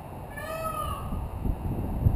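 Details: Peacock on a rooftop giving a single drawn-out, nasal, wailing note that rises slightly and then falls away over about half a second, over a loud, steady low rumble of background noise.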